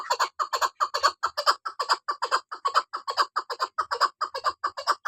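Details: Loud, evenly paced clucking by a female chukar partridge, with harsh chuck notes at more than two per second and some notes doubled.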